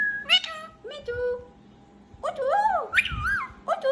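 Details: Pet green talking parakeet gives wavering, sliding whistles and speech-like syllables in two short bursts separated by a pause of about a second.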